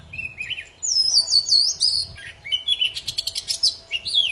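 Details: Oriental magpie-robin, poci form, singing vigorously for prompting quiet birds to resume song: rising whistles, a wavering high phrase, then a fast string of sharp chattering notes with a faint steady hum.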